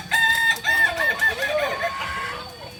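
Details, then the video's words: At a joint practice session in Amko, Solok city, a Kokok Balenggek rooster crows in a chain of short level notes that step downward, then slides into a longer wavering ending, with another crow faintly behind. "Latberan ayam kukuak balenggek di amko kota solok"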